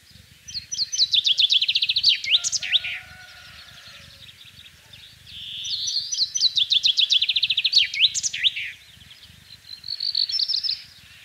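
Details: Common chaffinch (Fringilla coelebs) spring song in the countryside of central France on 24 March 2012: two bright descending rattles of repeated notes, each ending in a flourish, over a low background hum.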